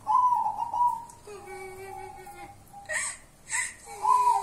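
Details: Local wild-type zebra dove, nicknamed kuntilanak, opens with a bright warbling coo, then holds long level whistled tones with a lower steady note beneath. A few loud hissing bursts interrupt before the coo returns.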